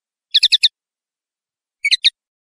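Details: Brief common linnet phrase: four fast bright chirps in a tight burst, a pause, then three sharper twittering notes.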